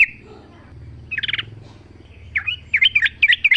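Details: Sooty-headed bulbul singing in the wild, natural sound: a short bubbly note, then brief warbled phrases of quick up-and-down chirps, several loud notes toward the end, over a low rural background hum.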